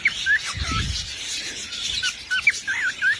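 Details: Singing parrot giving short, warbling whistles that twist up and down, with bursts of breathy noise and a brief low rumble in the middle.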